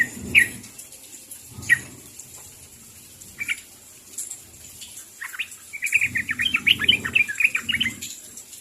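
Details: Sooty-headed bulbul calling to its companions: scattered single bright notes, then a fast bubbling run of liquid, chattering notes lasting about two seconds, with low rumbling noise underneath.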